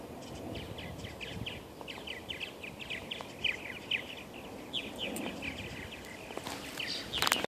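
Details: Western Purple Martins, including a banded male, at Steigerwald Wildlife Refuge, Washougal, Washington, on May 28, 2013: runs of short, raspy, high chirps in quick bursts over steady outdoor background noise, with a louder burst at the end.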